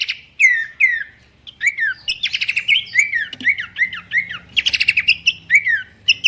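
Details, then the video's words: Pelanduk semak babbler singing a melodious master song for training birds: clear downslurred whistled notes repeated in series, broken by fast buzzy trills and high chirps, over a faint low hum. "goyangan merdu khas burung pelanduk semak"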